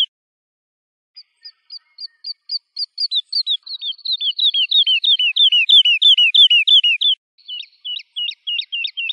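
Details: A Woodlark sings: soft, spaced high notes quicken into a loud, rapid cascade of downslurred fluty whistles, then a brief pause before sharper, falling notes.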